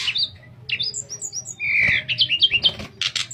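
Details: Sooty-headed bulbul singing in the fluting style kept for tutoring other birds: clear whistled notes, some rising and some falling. A bubbly, slightly harsh passage follows, then quick repeated chirps, with a low steady hum behind.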